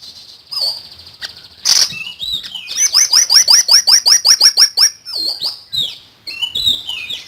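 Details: Common iora, a singing bird in full, lively song: a fast series of about a dozen sharp, downward-sweeping whistled notes repeated roughly three per second, framed by higher thin whistles and short chirps.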